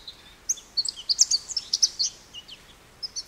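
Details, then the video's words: An American goldfinch sings a run of sweet, high, clipped notes in quick succession, with a brief gap before two final chirps. "American Goldfinch Bird Call Song | Goldfinch Bird Singing | Goldfinch Bird Sounds"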